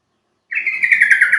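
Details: Yellow-vented Bulbul calling, a sound meant to prompt birds into answering: a sudden bubbly phrase that runs on as a rapid, rhythmic pulsing warble, clear and loud.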